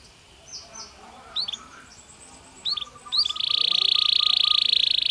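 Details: Natural song of a Belgian canary: a few soft, scattered whistles and chips at first, then a loud, fast, steady buzzing trill held to the end.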